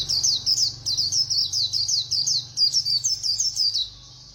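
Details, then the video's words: Rapid, unbroken high-pitched twittering from a white-eye singing fast in the 'líu' style, with short slurred notes tumbling over one another for about four seconds. "Khuyên Líu Hay _ Mau Mỏ _Tốc Độ _Tiếng chim Khuyên Líu"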